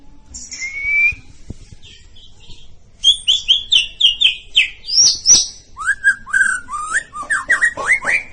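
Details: White-rumped shama of the bahorok type, a competition bird that reached a presidential cup contest; a long thin whistle opens, then rapid varied song of buzzy notes, sharp clicks and looping slurred whistles sliding up and down.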